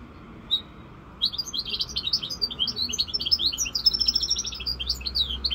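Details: A five-month-old rosy Corsican goldfinch mule sings a fast, unbroken stream of bright, tinkling twitters and trills after one short opening note, with a faint low hum beneath.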